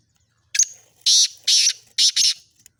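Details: Sindhi black francolin calling in a mix of spirited calls: a short sharp note, then four loud harsh rasping bursts, two spaced apart and then a quick doubled pair, with near silence around them.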